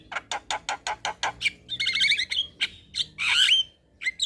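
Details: Black-winged starling evening song meant to train young birds: a steady row of rough chattering notes, then a buzzy doubled whistle phrase and a harsh noisy burst, ending in short squeaks.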